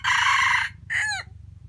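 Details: Wild junglefowl used as a lure at a forest trap gives a short harsh crow: a loud buzzy held note, a brief gap, then a second shorter note that drops away at the end, over a low steady hum.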